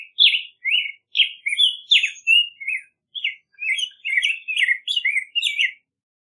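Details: A Black-headed grosbeak sings a long, continuous warble of rich, robin-like whistled notes, rising and falling in quick succession for nearly six seconds, with no other sounds.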